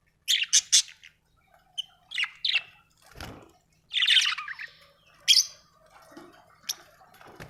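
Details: Happy budgie giving chirps and scratchy warbled notes, with a few squawk-like bursts and soft clicks between louder phrases, spaced irregularly over several seconds.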